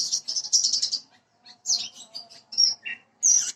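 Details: Parva bushlark (branjangan) lure song for quick singing: a dense high trill lasting about a second, then a pause and scattered bright whistles and a lower slurred note.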